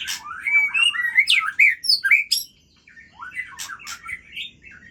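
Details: Aceh white-rumped shama in full song at midnight, pouring out rich, fluid whistled phrases that swoop up and down, with a brief pause midway before a fresh burst of varied notes.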